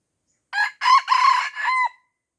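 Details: Red junglefowl from Aceh, Indonesia, surrounded by young birds and refusing to fight, gives a short crow of four harsh, buzzy syllables, the third longest, the last ending in a level tone, with silence before and after.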